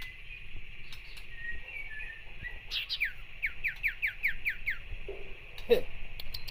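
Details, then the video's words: Common iora provoking a rival with harsh chatter: a fast run of about eight sharp, descending downslurred notes, preceded by a steady high tone, with a few lower notes and clicks after. "burung sirtu pancing emosi lawan dengan cetrekan kasar"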